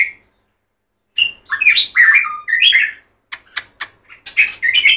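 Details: White-rumped shama singing: after a short opening note, rich bursts of whistled and warbled phrases mostly between 1 and 4k, rising and falling, broken by sharp clicking notes and brief pauses, in a quiet room.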